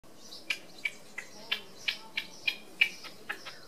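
Red-legged partridge giving short, dry, clicking chuck notes, about three a second at a slightly uneven pace, over a quiet background.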